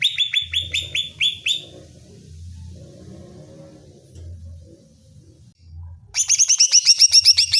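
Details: Greater green leafbird song played to provoke another leafbird and make it excited and aggressive: a run of bright, high whistled notes repeated quickly, then a quiet gap with a low hum, ending in a rapid buzzy trill.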